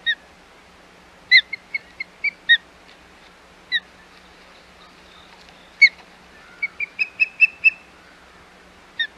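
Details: Osprey at the Hog Island nest, 25 May 2021, giving scattered loud whistled chirps, singly and in small clusters, ending in a quick run of five rising yelps over a faint hum.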